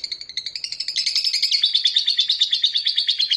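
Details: Lovebird giving ngekek, a long chattering song used as a master recording to provoke rivals into singing: a fast, unbroken stream of high, buzzy chirps, about three pulses a second, rising in strength and running on steadily.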